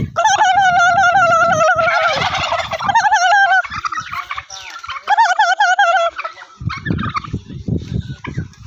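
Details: Loud, close gobbling from a very big turkey on a farm in Golaghat, Assam: bubbling, wavering notes rattling off in fast strings for several seconds, pausing, then bursting again, with faint background noise at the end.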